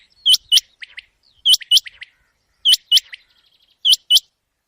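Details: ['Night calling of a common quail used as a hunting lure: bright paired notes that sweep down then up, trailed by fainter clipped notes, in phrases roughly every 1.2 seconds over a quiet background.']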